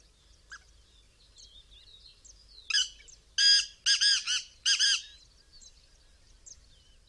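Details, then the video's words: A black francolin calls several times: a loud, harsh phrase of five grating, rasping notes in quick succession, with faint high chirps of small birds around it. "Black Francolin Calling Several Times"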